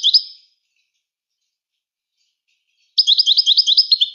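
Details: Moroccan goldfinch song: a brief fading twitter, a long silence, then a lively run of repeated bright, slurred chirping notes over a second long.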